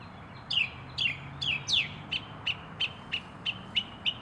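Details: A northern mockingbird in North America, a species known for mimicry, sings a run of high chirps: four slurred, downward notes, then seven short, clipped ones repeated about three times a second.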